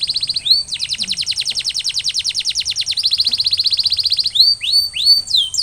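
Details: Canary recovering from molting sings a brief trill, then a long even rolling trill of rapid high notes, and closes with curling rising whistles.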